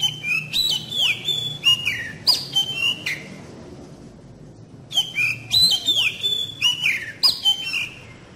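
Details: Oriental magpie-robin lure song to encourage young birds to sing: two runs of bright whistled phrases with rising and falling slides and crisp chirps, a short lull between them.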